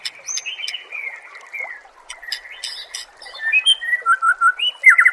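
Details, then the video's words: Murai singing on a songbird training track: a mix of steady whistles, short chips and warbled slurs, becoming faster and louder toward the end with a rapid trill. "Masteran murai AMPUH yang di pakai semua burung juara PASTI CEPAT GACOR DAN NGEPLONG"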